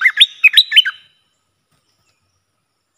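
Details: Bulbul worked up against rivals gives one brief phrase of about six bouncing, up-and-down whistled notes, followed by silence and a clipped note at the very end.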